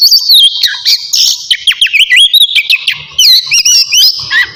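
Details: Loud, lively song of a navy-type oriental magpie-robin about to bathe: fast whistled sweeps, dipping slurs and staccato chirps, followed by looping high phrases and a falling whistle.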